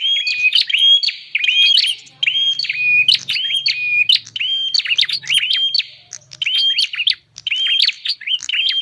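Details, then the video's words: Lure recording of bar-winged prinia for drawing in wild birds: quick high chirps ending in short level whistles, delivered in repeated bursts about every second, with a faint low hum in the middle section. "suara pikat burung prenjak"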